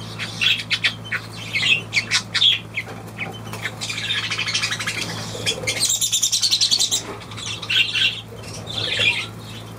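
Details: Budgerigar chattering steadily, rapid scratchy chirps giving way to a dense buzzing, rattling warble in the middle, then more clipped squawks, all over a faint constant hum.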